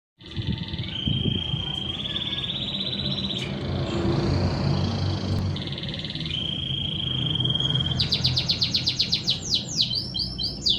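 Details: Canary song used to prompt other canaries to sing: long steady whistled notes around mid-high pitch, held trills shifting between tones, ending in rapid repeated chopped notes; low background rumble throughout.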